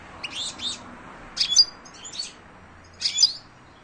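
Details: European goldfinch song: short bursts of buzzy, tinkling twittered notes, about three clusters spaced a second or more apart, high-pitched and liquid over a quiet background.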